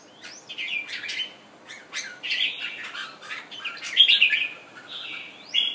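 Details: A Thailand red-whiskered bulbul, freshly moulted and kept as a pet bird, pours out a string of rapid warbling phrases mixed with sharp upslurred chips and clicks.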